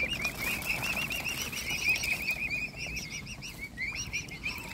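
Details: Mute swan cygnets from a swan family, hungry while being fed by hand, give a dense, continuous run of high, thin whistled peeps. Each note arches up and down, with faint splashing and soft background noise.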